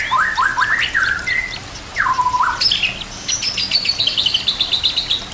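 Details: White-rumped shama singing on a training recording with nature sounds: a burst of quick rising notes, a long drawn whistle dipping and rising, then high thin rapid trills near the top of its range.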